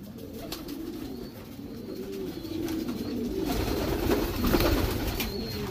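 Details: Domestic Racing Homer pigeons in their breeding section, cooing in low rolling phrases over a rising background rumble, with faint higher chirps and scattered knocks from the loft.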